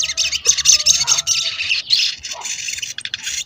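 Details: Crimson sunbird (sogon) in lure singing used to provoke other sogon into singing and excitement: dense, buzzy, high-pitched chattering in rapid irregular bursts, with a few brief lower whistled notes near the start.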